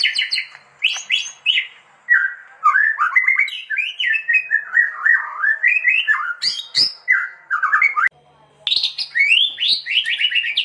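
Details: White-rumped shama (murai batu) singing as a training master: a long flowing sequence of melodious whistled notes that slide up and down, with a few sharp clicks and short pauses between phrase groups.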